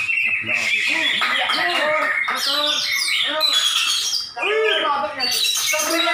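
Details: Greater green leafbird singing at a songbird contest in Malinau, North Kalimantan, judged by a panel: bright whistled and chattering phrases that rise and fall, with voices and laughter from the crowd throughout.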